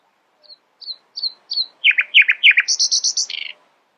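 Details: Nightingale singing in the early morning: soft, short notes speed up and grow louder, then buzzy downward-sweeping notes, ending in a high, rapid, pulsing trill that drops lower at the close.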